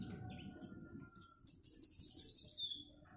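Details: Javan bush lark being sunned, singing very high thin notes: short squeaky bursts, then a rapid dry trill of about a dozen pulses, with a faint steady mid-pitched tone and low rumble behind.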